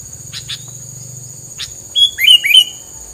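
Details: After a few soft scratchy ticks, three loud whistled notes swoop down quickly one after another; the bird's filler song is said to keep rivals at a distance. Low hum underneath.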